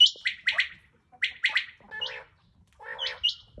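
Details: Rain quail, locally chinga batair, recorded 21 July 2022: sharp, high paired notes in quick doublets, then rougher, harsher buzzy notes with stacked overtones, separated by brief silences.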